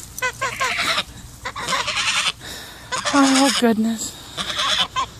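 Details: Sebastopol geese, two birds defending their owner from the dogs, utter grating, buzzy honks in short repeated bursts, mixed with a woman's voice and laughter.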